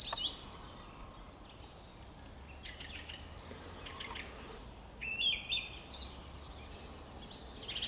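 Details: Song thrush recorded on 26 March 2022: loud high phrases of sharp, clipped notes and trills burst out at intervals of about two to three seconds, with quieter chirps between, over a steady low hum.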